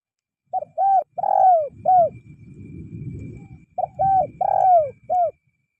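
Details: Spotted dove cooing as a tutor sound for caged birds reluctant to sing: two repeated phrases of clipped coos with a longer sliding coo, separated by a low rumbling background noise, with a faint steady high tone.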